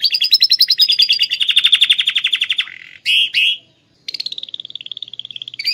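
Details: Canary with lovebird-imitation song, Klaten, Indonesia: a fast pulsed trill slowing into an even, steady rattle, two loud harsh bursts, then a renewed high rapid trill.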